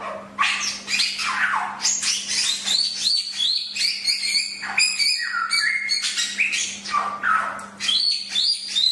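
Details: Chinese hwamei (samyong) song offered as a master recording for songbirds: a loud, unbroken stream of clear whistled notes mixed with harsh, buzzy bursts, phrases rising and dropping quickly, over a steady low electrical hum.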